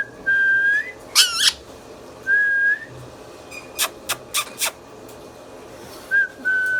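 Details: Pet Indian ringneck parrot in a small room alternating steady, slightly rising whistles with one loud rasping squawk and a cluster of sharp clicks.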